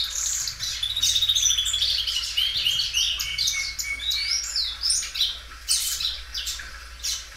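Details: Belgian canary, a well-kept singer that sings loudly and stretches its song many times, delivering a continuous high song of rapid rolling trills, sweeping whistled notes and chattering phrases with no pauses.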